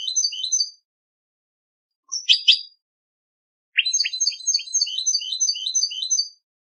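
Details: European goldfinch singing at a singing competition: bright, rapid twittering and trilled phrases in three bursts, a short opening burst, a brief harsh note near two seconds, then a long rolling run of tinkling notes, with no other sounds.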